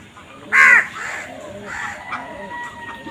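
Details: Crow giving one short, loud, hoarse caw early on, followed by softer calls and a faint steady tone in the background.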